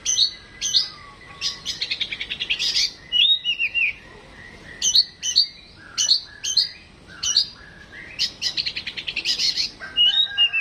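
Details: Home-kept white-rumped shama singing in a mental test: loud high chips and fast rattling trills alternating with sliding whistled phrases, bursts coming every second or so, a quiet background.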